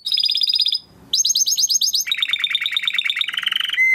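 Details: Training song of a Timbrado canary: a rapid buzzy high trill, a short pause, then bright repeated sweeps stepping down into a lower rolling trill and ending on a steady held whistle.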